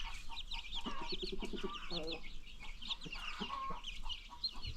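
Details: Free-range chickens on a farm with new baby chicks; high chick peeps chatter throughout as an adult hen gives quick bursts of low, stuttering clucks.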